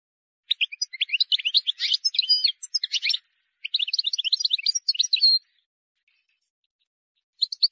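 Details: Wild goldfinch song, error-free and played to teach young birds: two long runs of rapid tinkling, twittering notes broken by a short pause, ending after a gap with a brief chirp.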